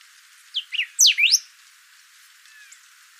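Thick-billed Saltator: a quick phrase of four or five high, slurred whistles, sweeping up and down within about a second, then a faint thin note.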